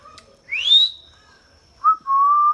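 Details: A talking pet Indian ringneck parakeet gives a clear whistle that rises steeply and levels off. After a gap comes a short whistled note, then a long, steady, slightly rising whistle.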